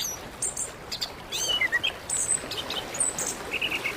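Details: Orange-headed thrush (anis kembang) song, Indonesia, played as therapy to get a silent bird singing: a few clear whistled notes, some sliding downward, over steady background hiss and high thin chirps from other birds.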